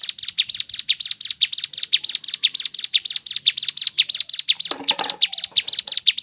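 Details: Crescent-chested babbler song variation, natural recording meant to prompt other birds to sing: high, sharp chirps repeated rapidly and evenly, about two per second, with a brief low rustle near the end.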